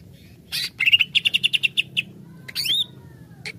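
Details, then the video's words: Greater green leafbird provoked into excitement, singing a rapid series of bright chirped notes repeated about ten times, followed by a sharp downslurred whistle and a final short note. "CUCAK IJO lain cepat sekali emosi pancing c ijo ini"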